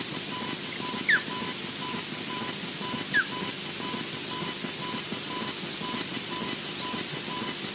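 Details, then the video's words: An osprey at Loch Garten, Scotland, emerges through far trees and flies right, giving two short, downslurred whistled chirps about two seconds apart, over a steady hiss and a faint, regularly repeated electronic tone. "Osprey emerges thru far trees, flies right, chirps"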